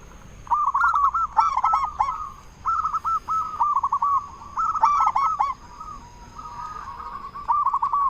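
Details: Zebra dove of a local Indonesian type with a powerful voice, its call used to draw replies and stir breeding mood: loud clusters of fast, bubbly coos in quick succession, with brief pauses and softer trilled stretches between.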